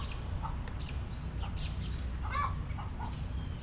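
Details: Backyard coop hens clucking softly: scattered, fairly quiet short clucks, with one louder, slightly squawky note near the middle, over a rumbling low background.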